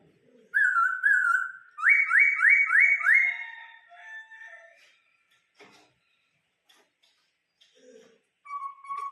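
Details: Vietnamese laughingthrush, an ornamental cage bird in Vietnam, singing the phrase known as 'bắt cô trói cột': a wavering clear whistle, then four quick rising whistled notes, fainter notes and a final whistle.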